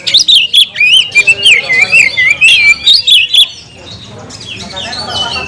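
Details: An oriental magpie-robin challenges a rival to fight with a fast run of clear, wavering whistled notes and sharp chips. The singing is loud for about three seconds, then fades to softer, distant warbling.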